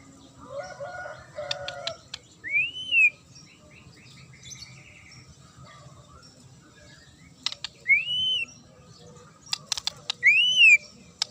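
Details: Magpie-robin's sharp song, used to provoke other birds into replying: scattered, clear arched whistles rising then falling, separated by long pauses, with faint chirps and wing flapping in between.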